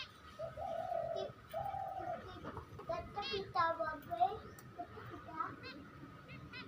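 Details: Pet lovebirds at home give drawn-out mid-pitched notes, then a burst of quick, shrill, squeaky chirps and chatter, with faint room noise and possibly a voice behind.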